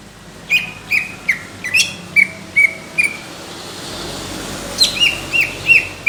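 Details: Greater green leafbird, competition-quality song: crisp downslurred whistled notes repeated roughly every half second, a brief gap, then another quick run of the same notes.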